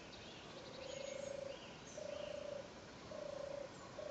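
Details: Recorded at Ruardean Hill on 2 June 2012, a European turtle dove repeats soft, low vibrating purrs roughly every second and a half, three full phrases and the start of a fourth, with distant small birds faintly audible.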